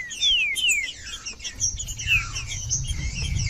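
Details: Green-winged saltator song meant to warm up a cold bird: a few clear, falling whistled slurs early on, then softer phrases over a low rumbling background.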